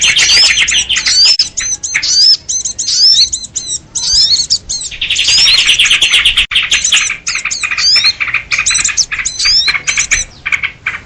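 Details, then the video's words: Sooty-headed bulbuls calling excitedly, played as a trapping lure for small birds. Bursts of quick rising whistles and clipped chirps alternate with a dense rattling stretch midway, followed by brief gaps and renewed chatter. "SUARA PIKAT BURUNG RIBUT || KUTILANG RIBUT || UNTUK PIKAT BURCIL"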